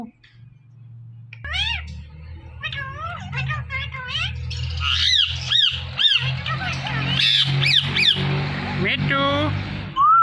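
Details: Indian ringneck parakeet giving a long run of sweeping, harmonic squawks and chattering notes that grow louder, over steady low rumbling background noise.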